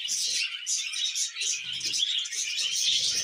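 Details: Budgerigars during mating and breeding give a short stretch of loud, high warbled chatter with rapid squeaky chirps and scattered soft low knocks.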